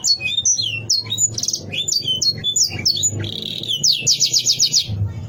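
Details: Canary singing a bait song meant to provoke rivals: fast varied phrases of high whistled slurs and chirps, ending in a rapid buzzy trill, with a low steady hum beneath.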